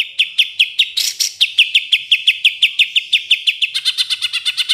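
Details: Greater green leafbird kept in a cage, singing 'tembakan' phrases favoured by judges: a brief harsh burst, then a steady series of sharp whistled chips about three a second, ending in a faster, more complex twitter.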